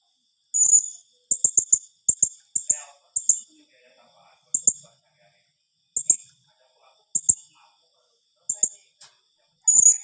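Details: A blue-crowned hanging parrot's 'tembakan rapat' calling: rapid runs of short, piercing, very high chips, some in fast triplets, others single and spaced about a second apart, in a quiet setting.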